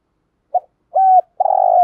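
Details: Lure spotted dove opening its stirring call with a short clipped note, a smooth level coo, and the start of a long burred rolling coo, ending abruptly.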